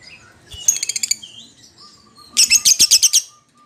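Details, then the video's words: Lovebird calling its companion in two quick stuttering bursts of high, rasping chirps, the second louder, with a thin sustained tone trailing after. "suara lovebird memanggil temennya | pancingan lovebird memanggil lawan"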